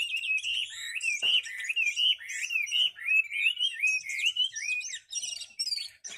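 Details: Chinese hwamei in competition form, large-bodied with a spread tail, delivers a steady stream of wavering, fluty whistles, each phrase rising and dipping smoothly, with a faint click near the start.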